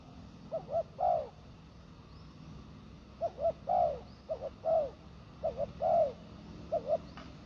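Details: Spotted dove cooing near a ground decoy: soft low phrases of two short coos followed by a longer rolling coo, repeated three times over steady background hiss.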